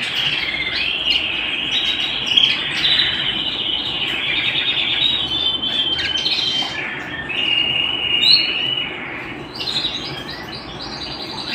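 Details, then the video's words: Home canary in full song: long rolling high trills and warbles, a sustained whistled stretch, then a sharp rising note near eight seconds before the song softens. "canary bird - canary singing - canary sounds - canary singing at home"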